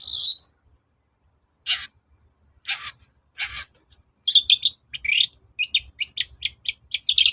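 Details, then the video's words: Long-tailed shrike singing as a lure to make other shrikes reply: a whistled note, three spaced harsh rasps, then a quickening series of short chattering notes repeated several times a second. "BURUNG CENDET GACOR NGOTOT || pancingan cendet agar nyaut gacor"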